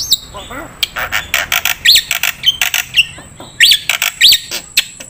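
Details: Black-winged starling singing in a recording used to train songbirds, giving scattered rasping chatters interspersed with sharp rising-and-falling whistles and brief squeaky notes, fairly irregular in rhythm over a quiet background.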